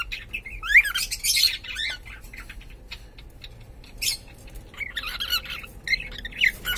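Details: Pet cockatiel of unknown sex calling: a few short, bright warbled chirps and a squawky upward-sweeping note in two bursts separated by a quieter gap, over a faint steady background hiss.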